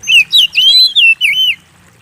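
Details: Oriental magpie-robin in lively full song, used as a lure to provoke kept birds into singing: five loud, clear whistled phrases, sweeping and warbling, that ends abruptly after about one and a half seconds in a quiet background.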